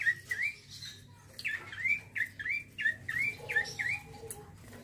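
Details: Rolling, vigorous song of a male bar-winged prinia: quick upward-flicked chirps repeated nearly three per second, with a soft low hum in the background.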